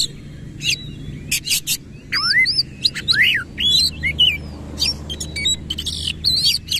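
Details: Kacer (Oriental magpie-robin) belting out 'gacor' song while opening its tail, full of rough 'isian kasar' phrases. Dense run of clicking notes, looping whistled slurs, and buzzy rattles, steady and energetic throughout.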